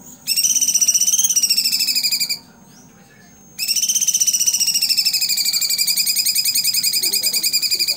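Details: Blue-winged Leafbird (cucak cungkok) delivering 'tembakan' song, recorded as a tutor track for other songbirds: fast, rich warbled trills in stacked whistled tones, running about two seconds, a short break, then a long continuous rapid trill.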